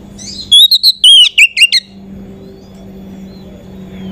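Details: Oriental magpie-robin lure song to raise other magpie-robins' excitement, a short burst of high whistled notes and chips, followed by steady low hum.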